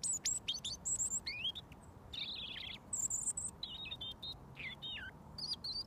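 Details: Robin singing close by to the person who feeds it mealworms each day: a string of high thin whistles, descending slurs and warbled phrases, each burst separated by short gaps.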